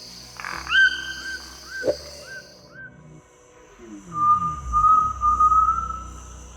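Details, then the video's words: A great tinamou in primary rainforest on Costa Rica's Osa Peninsula gives its normal, calm morning call with no sign of threat: a few short, sliding whistles, then a long, tremulous whistle over a high insect hum and a low, falling tone. "This is the call of a great tinamou on a normal morning. Steady rhythm, even spacing, no clear signs of a threat."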